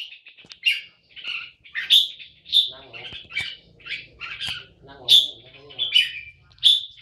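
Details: Caged red-whiskered bulbul singing short bright whistled phrases, each burst sharp and high, repeated roughly every half to one second, with a man's voice talking softly beneath at times.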